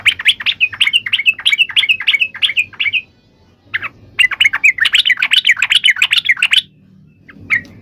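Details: Yellow-vented bulbul giving a loud fighting song used to provoke other bulbuls into answering: fast runs of bubbly, chattering notes repeated about three per second, a brief pause, then a longer rapid burst.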